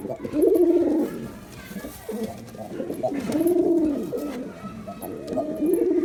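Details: Repeated deep coos from a male pigeon: three or four rolling, bowed phrases with short pauses between them, heard against a soft background hiss.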